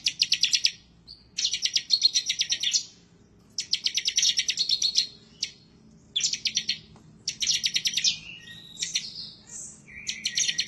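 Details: Excited bar-winged prinia pouring out ngebren-style song, chattering hard as if calling out a rival: clean, rapid trains of shrill chirps in regular bursts, with a few slurred whistles near the end.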